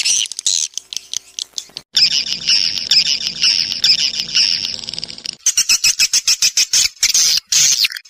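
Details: Swiftlet calls for luring swiftlets into a crowded bird house: choppy high chirps, a long continuous buzzy chatter over a low hum, then a quick series of sharp repeated chirps.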